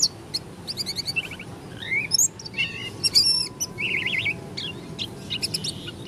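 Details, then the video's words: Oriental white-eye of the Lombok dakun type: an uneven mix of high chirps, short trills and buzzy warbled phrases against a steady noisy background, described as an unusual song. "Pleci dakun lombok suara aneh"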